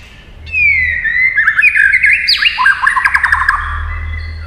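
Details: White-rumped shama giving fighting song: a long whistle sliding downward leads into a fast jumble of warbled and rattling notes over a steady background hum.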